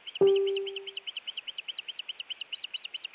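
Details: Osprey at a Montana nest cam on 16 June 2017, alarming at intruder attacks while defending the nest; a loud low electronic tone fades over a second, with rapid high whistled chirps repeated about seven times a second throughout.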